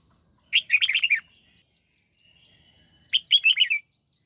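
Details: Kept red-whiskered bulbul practising its '89 xoắn tít' song: two near-identical quick phrases of six warbling, twisting whistles, about two and a half seconds apart, quiet between.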